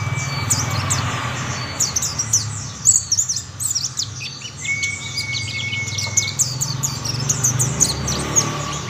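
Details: Mountain white-eyes singing together, others soon joining in: high, tinkling chirps and quick falling notes, with a steady whistled tone running for about two seconds midway and a low rumble underneath.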